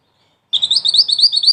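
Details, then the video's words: Rapid, piercing twitter of a mantenan: a run of quick high notes, some rising, packed closely and continuing without pause over a quiet background. "Mantenan Mungil Cantik Dengan Suara Pedas"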